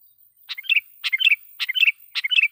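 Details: Sooty-headed bulbul lure song used to call in and agitate wild rivals: four rapid, bubbly phrases of several chirped notes, repeated about every half second.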